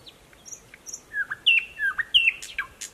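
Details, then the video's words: Thrush nightingale, newly arrived, singing from thick growth beside a stream in Mogilev district, Belarus, on 11 May 2021; varied short whistles and sliding notes, some high, some lower, delivered in a broken phrase. "Поет восточный соловей."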